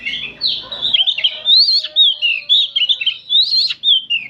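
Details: Oriental magpie-robins singing as a group in the afternoon, with bright, twisting whistled phrases rising and falling in quick succession. A low buzz is heard only in the first second.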